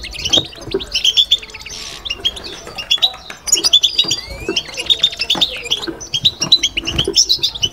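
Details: European goldfinch in a cage performing babtaba: fast, sparkling high twittering with short trills and one upward-sliding whistle, running in bursts with faint clicks behind.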